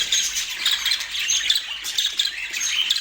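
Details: A burst of dense budgie chatter from pet birds in Portland: rapid high chirps and thin whistles tumbling over each other.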